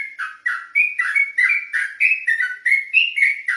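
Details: Ropelan-style night song of an olive-backed tailorbird, a fast chain of bright, rising and falling whistles delivered roughly four per second without breaks.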